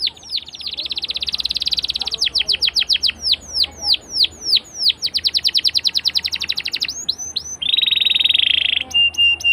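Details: Long-rolling canary song, a popular lure for young canaries learning to sing; dense trill, series of falling whistles, another rapid trill, ending in a flat buzzy rattle.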